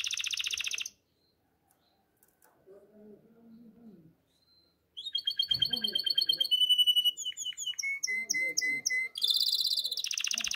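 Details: Male canary in breeding condition calling a female. A short buzzy trill is followed by a pause with faint low murmuring. Fast stuttering trills and clipped chirps then build into a run of repeated whistled notes and a loud rolling trill.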